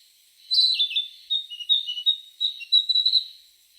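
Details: An unidentified bird gives a quick series of high, sweet chirps and short twittering notes, clustered in rapid bursts over about three seconds, with no other clear sounds.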